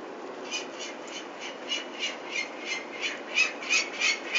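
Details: Peregrine falcons at Venlo, Netherlands, on 21 May 2024, while the chicks are being taken for ringing: fairly faint, harsh, rasping notes repeated about three times a second in a steady series, over a soft background hiss.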